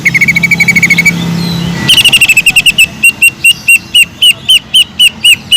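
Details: A greater green leafbird's kingfisher-imitation song: an even, rapid trill and a faster, harsher rattle, then clear upslurred notes spaced about every quarter second.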